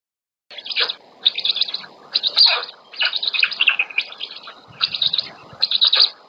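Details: Black storks at a nest near Łódź, Poland, on 27 May 2020, a female giving the chicks their first breakfast; harsh, buzzy high bursts come in quick clustered runs, with short gaps between them.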